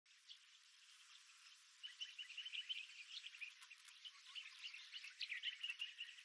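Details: Birds singing on an early morning walk around the rim of Wolfe Creek Crater, Kimberley desert, Western Australia, recorded on a GoPro Max 360: a busy chorus of high chirps and short trills that grows denser after the first two seconds.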